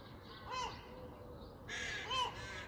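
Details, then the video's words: Crow calling on a clear Sunday morning: two arched, harmonic caws about a second and a half apart, the second joined by a burst of harsher, broader noise. "Crows, Seagulls, Tits singing on a clear Sunday morning"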